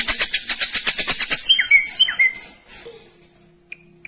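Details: Rapid, fast-delivered song from an ashy drongo: a quick run of repeated buzzy notes, then a few clear whistles and downslurred notes. The singing fades out, leaving faint scattered ticks.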